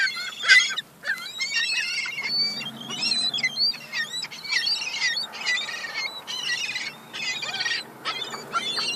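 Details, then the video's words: Young gulls squabbling over crumbs, a dense continuous chorus of high, wavering squeals and whining cries from several birds, barely pausing throughout. "Young seagulls"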